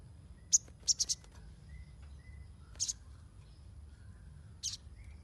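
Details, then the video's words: Shrill sunbird chips in a quick run of three to four, then isolated single notes, used to lure and train untrained birds; faint soft whistles in the background. "SOGON NYERECET !! Pancingan untuk burung bahan"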